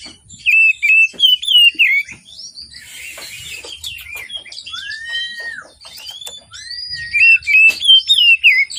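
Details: An Oriental magpie-robin sings busily in the morning, a lure for birds slow to sing: fluttering, tumbling whistles, a long downward-slurred note in the middle, and a light background hiss.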